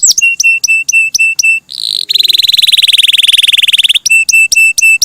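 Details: Canary song with sharp clipped notes over steady high whistles, then a long rapid buzzing trill lasting about two seconds, followed again by clipped whistled notes.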